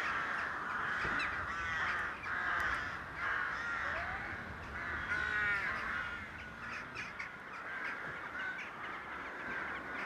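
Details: Rooks courting in a rookery give a dense, overlapping chorus of harsh, nasal caws from many birds at once, with louder calls rising out of the din every second or so and no quiet gaps.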